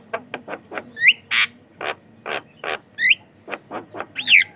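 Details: Javan myna in full song, used as a lure for other mynas: evenly spaced harsh chacks, about one every second, mixed with bright up-slurred whistles and a short rasp.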